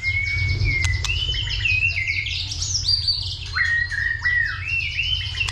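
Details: Roused by a female, a white-rumped shama gives a fighting song with continuous 'tạch' calls in the 'dìu bổi' style. Long, sustained whistled phrases rise and fall, with sharp clicks over a steady low rumble.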